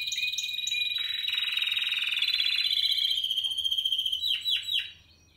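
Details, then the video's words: Spanish Timbrado canary of 2017 delivering a loud, even metallic trill that holds a steady pitch for several seconds, then breaks into a few swooping slurred notes before fading out. "Timbrado español original 2017"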